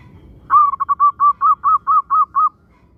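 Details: Local zebra dove song used to stir other zebra doves into singing: a loud first note, a few quick stuttering notes, then seven longer rounded coos at an even pace, followed by silence.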